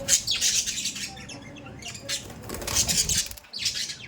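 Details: Pet budgies chattering in bright, hissy bursts of rapid high notes, one stretch near the start and a louder run in the second half, over a steady low hum.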